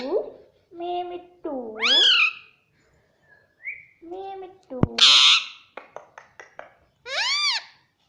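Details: Pet Indian ringneck parakeet speaking indoors, alternating lower voice-like syllables with high swooping mimicked words, plus a sharp squawk and a quick series of clicks before a final arched phrase.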